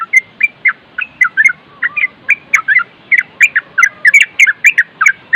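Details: Yellow-vented bulbul in continuous nropel singing, made as a training recording with wind sounds: quick bursts of bright chirped and slurred notes in tight clusters, about four a second, and a faint lower whistled line between them.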